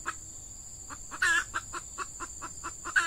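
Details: Female red junglefowl used as a lure to attract wild males, recorded in peat scrubland during the season when the birds are active: a run of short, evenly spaced clucks with a louder, harsher note near the start and another at the end, over a steady insect hiss.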